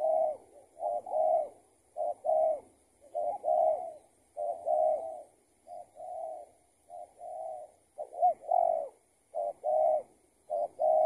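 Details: Spotted dove cooing during a trapping session with a decoy, the target a tethered bird escaped from another trapper; low mellow coos in short two- and three-note bursts, repeated almost every second, overlapping as if more than one bird calls.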